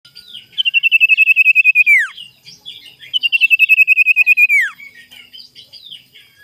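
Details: Sirtu singing in the morning, a lure song meant to provoke rivals: two loud, rapid trills of even, high pulses, each ending in a sharp downward sweep, with soft scattered chirps between and after them.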